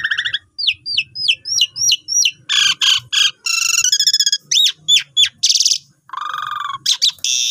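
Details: Asian pied starling singing a long gacor song for mastering new birds: repeated hooked whistled notes about three per second, followed by harsh buzzy bursts, rattles and loud chattering phrases over a faint low hum.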